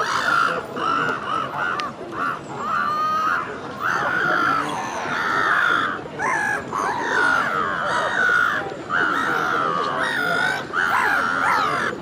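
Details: A courting pair of Black-headed gulls, wings held out and bowing to each other, give harsh, drawn-out, grating moaning calls in near-continuous overlapping bursts.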